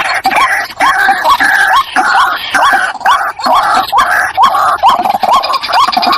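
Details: White-breasted waterhen call used as a decoy. Hooked, rising notes repeat about twice a second against a constant noisy, hissing background.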